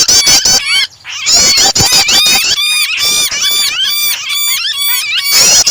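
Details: Prinia with a distressed bird, combined as a starter to set other birds singing; rapid ticks open, then long strings of looping, up-and-down squealing notes fill the rest.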